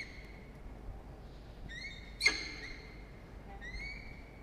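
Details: Peregrine falcon at a nest box atop a water tower in Orange, New South Wales, Australia, during the breeding season, late afternoon on 26 November 2021, gives three drawn-out, slightly rising whining notes in four seconds, a sharp knock midway, faint hum behind.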